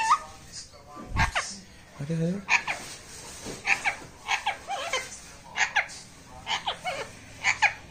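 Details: Pet parrot talking indoors in a small room, a run of short, sharp, speech-like syllables with bright upper tones, some rising and falling squawk-like notes, mixed with what sounds like human voices and brief laughter.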